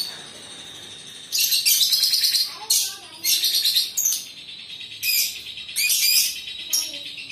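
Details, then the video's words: Lovebird singing in a lively run of harsh, buzzy, high chatter phrases, repeated every second or so over a steady background hiss. "Suara kicauan Lovebird"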